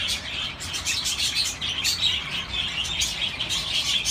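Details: Chirping budgerigars, a dense stream of high-pitched warbling twitters and short squeaks overlapping, rhythmic bursts of chatter throughout.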